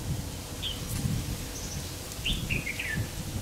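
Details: Red-whiskered bulbul at a trapping site on 3 September 2019: short whistled, sliding notes around the upper range, in scattered bursts over low rumbling background noise.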